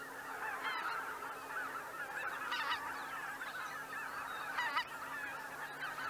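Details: A distant mass of greater white-fronted geese calling while leaving the roost at Miyajima-numa, 2023, a steady blurred chorus of honks with a few clearer yelps standing out.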